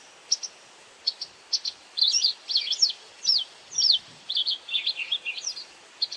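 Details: White wagtail feeding on insects and calling: short high ticks at first, then a run of louder, warbled chirps with rising and falling sweeps, fairly continuous.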